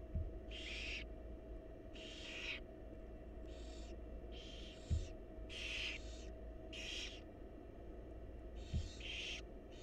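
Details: Wild barn owl chicks in a monitored nest box beg while their mother feeds them: about eight harsh, breathy hissing bursts spread across ten seconds, each roughly half a second long, over a steady low electrical hum.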